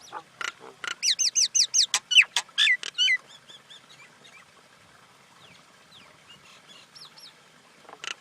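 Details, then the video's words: Common myna vocalizing: harsh croaks, then a rapid series of loud looping whistles and sharp downslurred notes, fading into soft chatter with distant bird notes and a final harsh burst. "Common Indian Myna sound"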